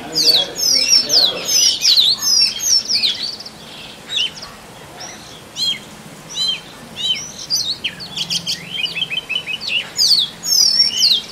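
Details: Male Oriental magpie-robin singing to attract a mate in forest: a rich, varied run of sweet whistled and slurred phrases, high and quick, in bursts with brief pauses, ending in rapid repeated notes.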